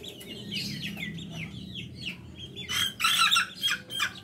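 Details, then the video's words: Little chicks whose calls are likened to laughter give short sliding chirps, then a louder, denser cluster of harsh high peeps near the end over a soft low hum. "Anak ayam ketawa"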